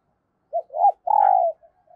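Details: Female dove calling to arouse males: a quick low note, a rising-and-falling coo, then a long, strong, level coo that drops slightly before trailing off into faint soft notes.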